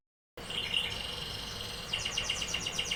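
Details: Canary song opening with a sustained high steady whistle, then a fast run of repeated descending sweeps in the second half.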